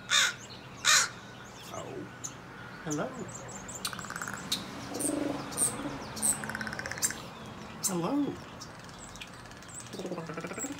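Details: A crow eating an apple gives two loud, harsh caws, then softer rattling and clicking calls, while a person repeatedly says hello and talks to it.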